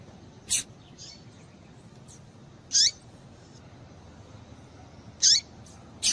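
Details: Female Rusty-collared seedeater (papa-capim) calling to stir males to sing: high, scratchy chirps with a falling lower note, repeated roughly every two and a half seconds, mixed with sharp short chips.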